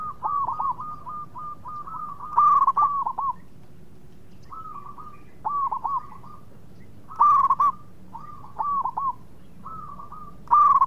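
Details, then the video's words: Local zebra dove (perkutut lokal) singing actively, used as a lure so rival birds answer quickly: short phrases of rolling, looping coos with a bubbling stutter, some notes louder and more emphatic, repeated every two to three seconds over a low background hum. "PERKUTUT LOKAL GACOR BIANGANYA PANCINGAN LAWAN CEPAT NYAUT"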